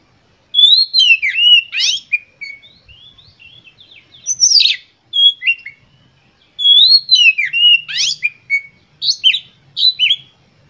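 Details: Loud, lively Oriental magpie-robin (kacer) song given to provoke other birds: bursts of rapid whistles and harsh chattering notes in several rushed phrases separated by short pauses.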